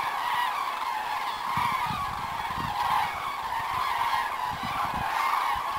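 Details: Cranes returning in spring over south-west France in February: a large flock gives a continuous overlapping chorus of loud, trumpeting bugles, with low thumping background noise throughout.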